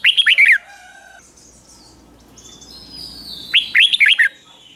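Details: Red-whiskered bulbul kept in a cage and trained for morning singing: a quick phrase of chirpy downslurred notes, a quiet stretch with faint thin whistles, then another bubbly chirping phrase.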